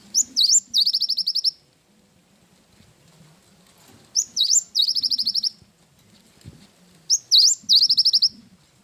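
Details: Cinereous tit in full chatty song with a 'wingko' fill, as used for training caged birds: high rising sweep then a rapid buzzy trill of about ten notes, phrases repeated roughly every three seconds over a low background hum.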